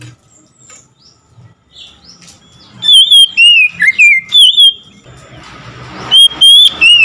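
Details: Oriental magpie-robin singing in reply to another magpie-robin: soft squeaks build into a loud series of rapid, twisting whistled notes, a brief pause, then three more bright whistles.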